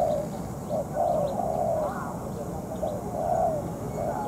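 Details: Spotted dove used as a trapping decoy while molting, calling during a night trapping session with a wild bird; a few breathy, slightly rising coos partly masked by dense low rumble and faint higher chirps.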